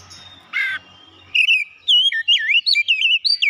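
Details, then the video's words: Oriental magpie-robin singing a rapid series of clear, looping whistled phrases that rise and fall, following a brief buzzy rasp and low background rumble at the start. "kicauan ampuh mempercepat pemulihan Kacer macet bunyi langsung gacor"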